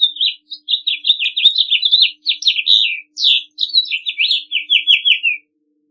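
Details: House finch delivering a lively warbling song of quick twittering notes in bursts with tiny gaps, ending with a run of lower slurred notes. Background is quiet.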